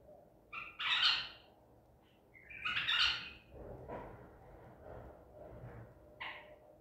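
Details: Baghdadi-type white-eared bulbul caught at Medical City, 14 April 2021, gives two separate short, rich warbled phrases about two seconds apart, then softer scattered notes over faint background hum.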